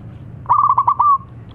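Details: A single local zebra dove call phrase, clear and close: a rapid run of about six bubbling pulsed coos that slides into one smooth held note fading at the end.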